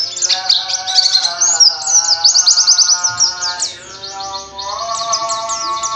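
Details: Rolling, energetic white-eye song aimed at finding a rival: fast, very high twittering notes run together in quick bursts, over a sustained lower tonal drone.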